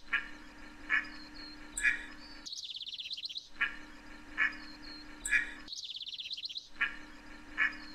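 A scaly-sided merganser gives short, harsh, nasal calls about once a second. A rapid, high twittering run from another bird and a low, steady hum are also heard.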